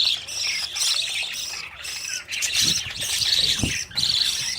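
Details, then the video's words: Budgerigars, chicks newly out of the nest running after their parents for food; dense high chirping and squawking chatter in bursts, broken by short pauses, with a few low thumps underneath. "Budgies babies running for food"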